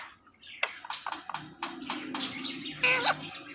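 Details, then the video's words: Pet Indian ringneck parakeet talking: a run of short, clipped speech-like syllables and chirps in quick succession, ending in a longer, buzzier phrase with a steady low hum underneath. "The Best Indian Ringneck Talking Parrot"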